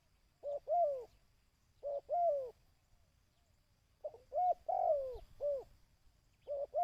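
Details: Dove call used to train decoy birds: phrases of two or three low cooing notes, with a short note, then a longer one that slides downward. The phrases come about every one and a half seconds over a quiet background.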